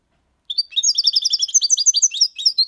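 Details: Six-month-old goldfinch singing the Málaga copy song style: after a short silence, a continuous stream of rapid, sweet, twittering and tinkling notes begins and is still going when the recording ends, with no other sounds.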